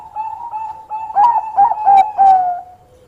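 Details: Bangkok-type zebra dove in active song, luring an opponent to reply, gives four full, mellow coos about a third of a second apart over a faint steady hum.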